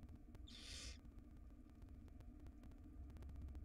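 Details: In its nest box, a tiny wild barn owl chick eating a rodent's tail utters a single short, breathy screech-hiss near the start, then only a droning background hum and faint clicks.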